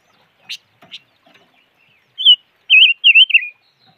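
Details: Silver-eared mesia: two sharp ticks and faint soft notes lead into a loud, quavering whistled phrase of three to four wavy notes, slightly falling at the end.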